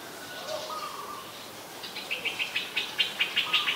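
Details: Streak-eared Bulbul, a very common resident, recorded at Ubon Ratchathani, Thailand, on 2 January 2021. A short whistled note comes first, then a rapid run of about eight bright chirps in under two seconds, over a steady background chorus of other birds.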